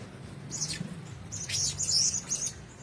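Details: Blue-crowned hanging parrots in a shared cage give a brief burst of bright, high squeaky chirps, several in quick succession.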